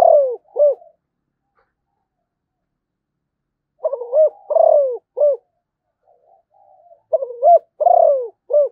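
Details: A Malaysian zebra dove sings; the end of one phrase is followed by two complete phrases. Each has stuttering notes, a long downward coo and a short final coo, with quiet gaps.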